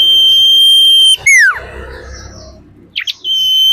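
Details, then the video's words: Female common iora, known locally as sirtu or cak lilin, giving a call used to lure birds: a long, steady, high pure whistle lasting over a second, then a sharp downslurred note, brief faint notes, and the whistle returning. "Sirtu gacor anti setres"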